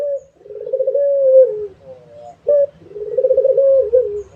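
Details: Two coo phrases by an active puter dove, each opening with a short emphatic note and running into a long vibrating coo that drops at the close.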